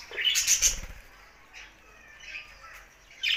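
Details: Budgerigar song: a loud burst of harsh squawky chatter with fluttering wings at the start, followed by quieter, scattered warbled notes and a final squeak.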